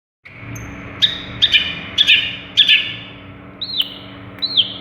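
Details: Long-tailed shrike, a singing cendet from Madura, mimicking other birds: scattered sharp chirps followed by two clear down-slurred whistles, with a steady low hum beneath.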